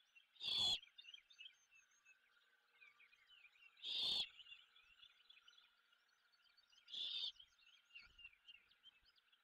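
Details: At a Savannah nest, a great horned owl mother with her owlet after breakfast gives three harsh, hissing screeches about three seconds apart, over a steady background chorus of high chirps and trills.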